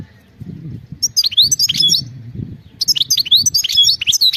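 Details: Wild European goldfinch singing: two bursts of quick, high twittering notes, liquid chirps and short slurred whistles in rapid jumbled phrases, separated by a brief pause, with a faint low rumble beneath.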